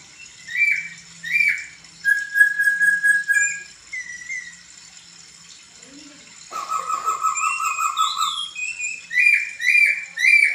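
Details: A poksay laughingthrush in full song, recorded as a tutor song for other birds, sings loud, clear whistled phrases, some level and some rising, in varied bursts with short pauses and a brief harsh note midway.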